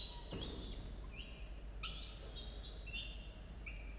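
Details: Falcon chicks, two nestlings aged 17 and 13 days, calling at a camera-watched nest at 6:02 a.m. on 27 October 2022; thin, harmonic squealing calls, several short ones, some bending down in pitch, over a low steady hum.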